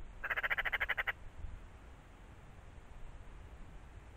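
A Eurasian magpie gives one harsh, rattling chatter of about a dozen rapid notes lasting under a second. Faint background hiss follows.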